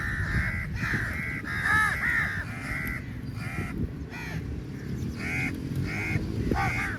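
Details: A large flock of crows rushing at food during feeding time, calling very loudly: harsh, nasal caws overlap almost continuously in bursts, with a steady low rumble of background noise throughout.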